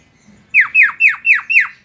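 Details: Jalak kebo, the Javan myna, a tame bird giving five loud, harsh, falling squawky notes in rapid even succession, each about a quarter second apart.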